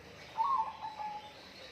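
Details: One brief bird phrase: a quick, fluttering whistled warble that drops into a short, steady level note.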